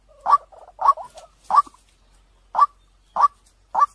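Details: Waterhen lure call: three loud throaty notes with brief rattles between them, a pause of about a second, then three more evenly spaced notes.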